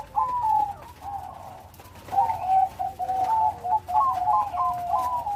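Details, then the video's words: Zebra dove of the Bangkok perkutut type, singing actively with a big voice: rolling, stuttered cooing phrases that rise and fall, repeated about three times a second in bursts, over a softer steady low coo and light tapping noises. "Burung perkutut bangkok gacor.Suara besar. Irama lengkap."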